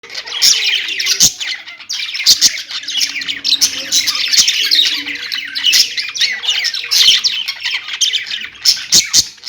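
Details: Pet budgerigars kept at home chatter in a dense, continuous stream of high, scratchy chirps and warbles. Several birds overlap, with sharp clicks and brief squawks breaking through at irregular moments.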